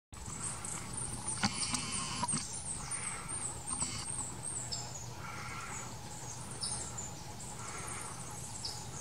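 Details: At Bellavista Cloud Forest, a toucan barbet gives loud, nasal honking notes about every one and a half seconds, over thin high chatter from other birds or insects.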